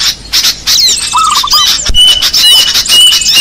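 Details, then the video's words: Small birds call busily over one another with sharp high chirps, harsh squawks, a short lower stuttering trill and thin steady whistles. "Suara pikat burung kecil"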